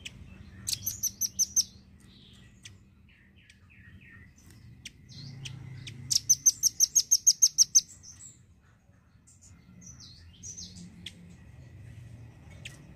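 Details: A red-billed velvet-fronted nuthatch, used as a song tutor for songbirds, gives two bursts of rapid, sharp, high chipping notes, six and then about ten in a quick run, with scattered thin chirps between.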